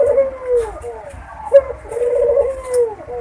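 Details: Overlapping low coos of a Barbary dove mating call, used as a breeding lure: long wavering notes sliding down, broken by a short sharp note midway, with faint clicks and rustle.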